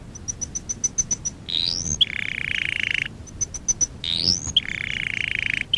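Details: Canary singing for training purposes: twice repeats a phrase of evenly spaced high pips, a rising whistled sweep, and a sustained buzzy trill, the pattern cycling through the clip.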